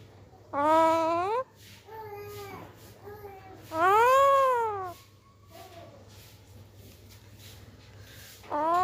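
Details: Green parakeets in Pakistan, said to be very hungry, cry loudly: a long harmonic wail, softer wavering notes, then a strong arching cry that rises and falls, and a final rising call starting at the end.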